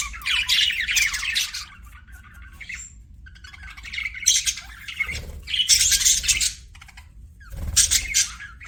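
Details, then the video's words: Pet budgies chattering in bursts of scratchy, buzzy warbles and squawks, each lasting about a second and a half, separated by quieter pauses with a faint low hum beneath. "CUTE PET BUDGIES"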